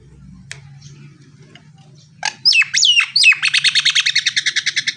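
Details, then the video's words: Nias hill myna, a male in full song, giving loud swooping whistled notes that rise and fall, then a fast run of harsh, evenly repeated pulses. Low hum sits underneath. "suara kicau dan tembakan burung jalak Nias gacor"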